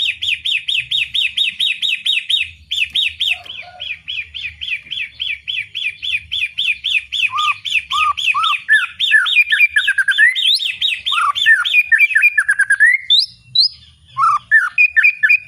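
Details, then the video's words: White-rumped shama (murai batu) in loud ngeplong style, pouring out a long run of rapidly repeated strong whistled notes, later mixed with lower rising slurs and quick varied phrases. "Suara ngeplong keras || Burung murai"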